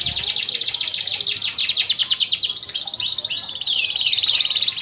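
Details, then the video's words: Canary song used to train other birds: dense, continuous high warbling with rapid trills and overlapping slurred notes, little pause, over a steady hiss of background noise. "Suara burung kenari"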